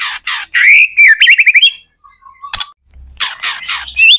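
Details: Lure recording of a white-rumped shama singing to set other shamas calling back: rapid varied chirps and a run of quick rising whistled notes, a pause, then a thin high note and further bright chattering phrases.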